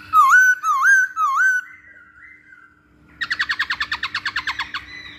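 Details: Masked laughingthrush singing as a training lure: three looping whistled phrases, a soft fading whistle, then a fast run of about fifteen sharp chattering notes, with a faint steady hum behind.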